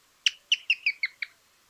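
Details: Pearly-vented Tody-Tyrant from Argentina: a quick series of six sharp, clicking notes, the first loudest, descending slightly and spaced about a fifth of a second apart, over a quiet background.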